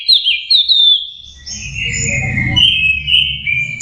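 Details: Young orange-headed thrush learning to sing, giving sweeping high whistled phrases that slide downward, then a sustained buzzy warble over a low background rumble.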